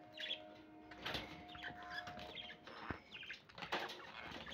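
Budgerigars chirp and chatter in quick, uneven bursts of bright, warbling notes.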